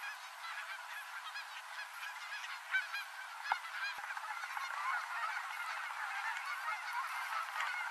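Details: Canada geese spiralling down onto the Rogue River, Oregon, as evening approaches; overlapping honks from a flock rise slightly in loudness toward the end, with a couple of brief knocks midway.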